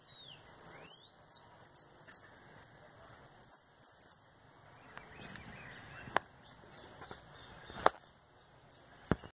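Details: Canary in retinido song during its return from molt: an opening stretch of quick ringing high notes, then thinning to isolated high ticks with a few clicks and knocks.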